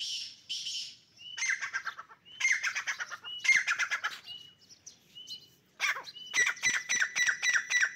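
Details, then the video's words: Fighting dakni teetar partridges give bursts of rapid, scratchy squawks. Short, clear whistled notes fall between the bursts, and the squawking quickens toward the end. "dakni teeter ki jung kia ho gia"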